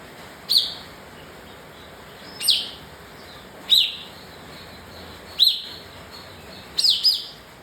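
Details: Kapas tembak (bar-winged prinia) repeating short, piercing, high chirps roughly every one and a half to two seconds, five in all, the last one doubled, against a low constant hiss.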